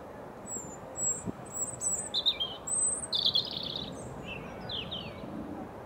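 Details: Robin singing across a field to another bird, with the second one audible in the background; high, thin, warbling phrases with trills and short sliding notes, delivered in separate bursts amid quiet outdoor noise.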